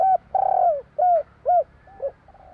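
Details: Spotted dove, Javanese 'kuk 3' singer: a brief phrase of loud mellow coos, a short note, then a long downward-sliding coo, two more short notes and a fading final one.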